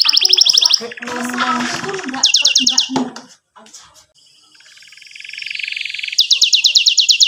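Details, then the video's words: Canary in 'gacor' song with 'ngerol' rolls and 'cuit cuit' notes, a training recording for young canaries: rapid high trills mixed with a noisy, jumbled stretch, then a rising buzzy roll and fast high notes. "KENARI GACOR PANJANG CUIT CUIT NGEROL NEMBAK"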